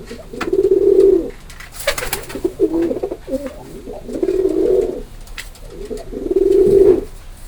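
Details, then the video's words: Pigeon cooing: low, rounded coos around a steady pitch in about four bursts, each close to a second long, with short clicks and rustles between them. "Pigeon Sound effect"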